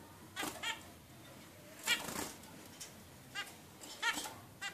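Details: Short, buzzy harmonic calls from a 16-day-old zebra finch chick, coming in loose clusters of two or three notes roughly every second or two, one slightly longer and harsher.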